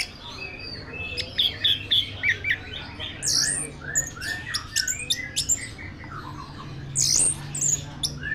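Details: A first-place contest orange-headed thrush from Tasikmalaya, Indonesia, sings from its cage, mixing rapid high chips, short whistled slurs and harsh bursts in an uneven flow over constant low rumble.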